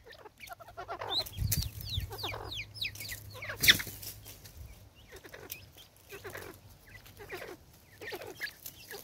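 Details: Female Natal spurfowl, angry, South Africa, 2024: grating cackles repeated in quick clusters, rising to a sharp loud burst midway, then continuing as scratchy, uneven notes with a low hum beneath.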